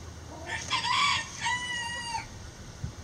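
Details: In a backyard coop, a loud, harsh crow opens with a rough burst, then holds a long, clear harmonic note that ends abruptly after about two seconds, over faint background noise.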